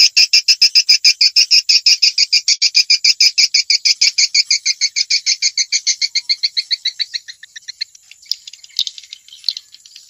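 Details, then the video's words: Swiftlets from Vietnam, a call used to lure swiftlets into bird houses: a fast, steady train of high buzzy chirps, about three per second, fading after seven seconds into scattered faint ticks. "Tiếng chim yến kêu từ Việt Nam"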